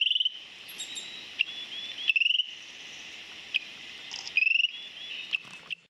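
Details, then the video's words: Eared pygmy-tyrant (Myiornis auricularis) at a forest edge, Fazenda Cupido e Refúgio, giving short, high, rapid ticking trills in brief bursts every couple of seconds, over a steady, shrill insect drone. "Miudinho / Eared Pygmy-Tyrant"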